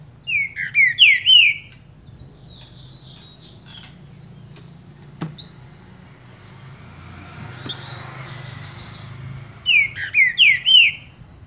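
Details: Captive Green-winged saltator (trinca-ferro) of the Paraná liso song type, warming up after a quick feather moult, singing two short bursts of rich, slurred whistled phrases separated by a quiet pause with faint background hum.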